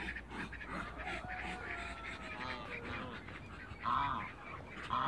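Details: Waterbirds meeting, two males and one female: drawn-out honking notes with a wavering tone, followed by a pair of louder, sharper honks near the end.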